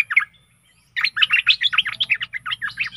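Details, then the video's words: A Stripe-throated bulbul sings as a decoy for aggressive wild birds: one brief note, a pause, then a fast run of loud bubbly notes over a low background hum. "เสียงต่อนกดอกแตงEp.92Birds songs(สำหรับต่อนกป่าตัวดุ!!)"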